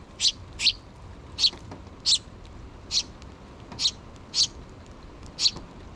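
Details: Two young sparrows not yet out of the nest beg their parent birds for food, mother at hand, on 6 June 2023; rasping high chirps, sometimes in quick pairs, repeat at irregular intervals against a faint low hum.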